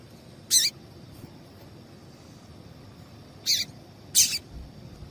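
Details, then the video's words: Female double-collared seedeater calling, played to warm up males for singing tournaments; three short, high, sharp chirps, one near the start and two close together near the end, over a faint steady background hiss. "Piado de Fêmea de Papa capim esquentar"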